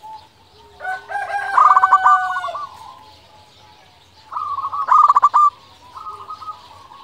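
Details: Local zebra dove cooing steadily, used to draw answers from other doves and stir their breeding urge: two loud rolling bursts of clipped, stammering coos, with fainter sustained cooing in between.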